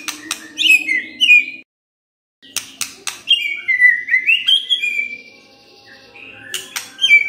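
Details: Murai batu, the white-rumped shama, singing as a lure to draw out other birds' full song. Clear high whistled phrases and sliding notes come between sharp clicks, with a brief silent gap early on.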